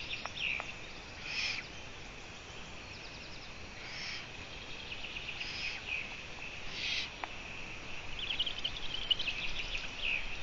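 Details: Long-eared owl on a live stream recorded 14 June 2017, 04:49; short breathy hisses recur irregularly every one to two seconds, with sharp clicks, faint chirps and a continuous high insect-like drone.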